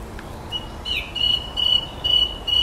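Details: Evening garden blackbird imitating electronic noises: steady, flat beeping tones repeated in a regular series, like an electronic alarm, with quiet background hiss.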